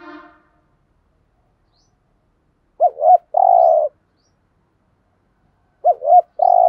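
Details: Spotted dove cooing in the thúc gù manner to lure wild doves: after a brief harsher sound, two well-spaced phrases of paired hoots, each followed by a long purring coo, about three seconds apart.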